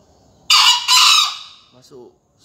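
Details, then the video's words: Two-part crow of a young contest green junglefowl from Surabaya, Indonesia, recorded at dawn around 5 a.m., 28 February: a rasping first burst, a brief gap, then a drawn-out tapering note, followed by a man's voice. "Final lomba video ayam hutan hijau 2020"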